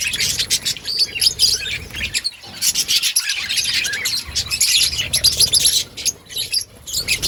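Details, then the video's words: Budgerigars in an outdoor breeding colony, many birds chirping at once in a dense, high, scratchy chatter of rapid overlapping notes with brief lulls. "Budgies chirping sounds in outdoor colony"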